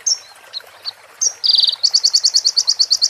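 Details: Sunbird song used for training other birds, with female prinia and ciblek phrases: scattered thin high chips, a short dense buzzy burst, then a steady series of about a dozen bright clipped notes.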